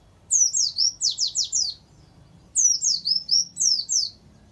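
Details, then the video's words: Warbling white-eye (pleci) training song with canary-style phrases: two bursts of rapid, very high, descending whistled sweeps, each run lasting about a second and a half, separated by a short pause. "Suara Burung Pleci Gacor Dor || Terapi Masteran Pleci Isian Tembakan Kenari"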